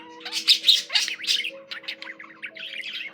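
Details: Pet budgerigar warbling: a dense stream of quick, bright chirps and scratchy twitters, rising and falling rapidly, with a faint steady hum in the background.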